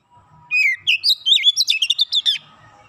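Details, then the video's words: Loud Oriental magpie-robin song, dense 'nembak' style: sweet downslurred whistles lead into a rapid, tightly packed sequence of choppy, bouncing notes lasting nearly two seconds, with little else audible. "Kacer bahan cepat gacor nembak rapat"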